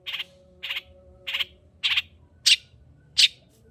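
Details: Long-tailed shrike song used as a lure to stir a quiet shrike into singing: six harsh, buzzy high bursts spaced about every 0.6 seconds, the last two sharper and louder, over a faint low hum.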